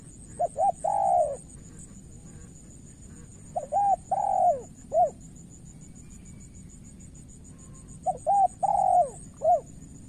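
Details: Spotted dove cooing during a decoy contest with a rival male: groups of short coos then a long drawn-out, falling coo, two phrases separated by a pause, over steady background hiss and insect-like high whine.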